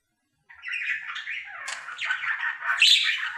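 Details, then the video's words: Male pet budgerigar in his daily singing routine indoors, starting after a half-second pause into a continuous chattering warble of scratchy notes and chirps that grows louder toward the end. "Budgie singing for 1 Hour Happy song!"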